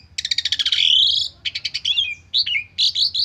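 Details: A stressed Asian pied starling, presented as a lure song with a full repertoire, sings a fast burst of rattling, pulsed notes, then a rising whistle and several short, squeaky, slurred phrases, with a faint low hum behind.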